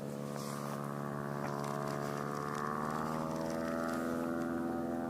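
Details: A steady motor drone with strong layered harmonic tones from a boat or propeller aircraft, slowly shifting in pitch, and no animal voices.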